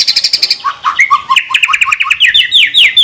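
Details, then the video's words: White-rumped shama (murai batu) song of the training type with rapid 'tembakan' fill phrases: a fast high chip series, then quick whistled notes sliding downward, ending in a string of rapid descending sweeps. "Pancingan Masteran MP3 Murai Batu Gacor Full Isian Tembakan Mewah"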